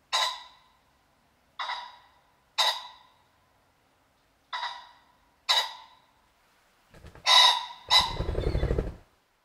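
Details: Common pheasant clucking and whirring as it flies off startled in European and UK countryside: five harsh, evenly spaced clucks roughly a second apart, then a loud rasping outburst blended with heavy low whirring wingbeats.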